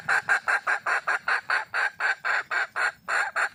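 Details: A wild junglefowl hen seeking a mate utters a long unbroken series of coarse, rasping cackles, roughly five per second, steady and insistent throughout.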